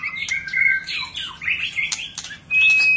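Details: Displaying White-rumped shama giving a dense run of varied notes, bubbling warbles and slurred whistles ending in a loud, sustained high pure whistle.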